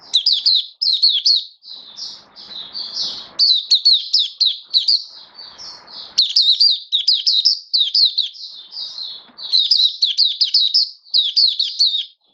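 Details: Oriental white-eye (mata puteh) kept for singing, build-up form, 19 September 2022: a long, nearly continuous high twittering song of rapid slurred chirps in repeated clusters, with occasional faint rustling.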